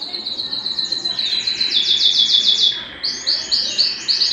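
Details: Belgian canary song for stimulating singing and readying hens for breeding; a long run of rapid repeated notes swelling in loudness, a brief break near three seconds, then looping rolled notes.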